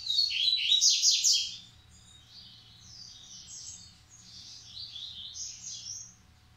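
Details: Stud male coleiro, compared in Massai and baiano song styles, opens with a dense, loud cluster of sharp chirps, then trails into softer, repeated warbled phrases.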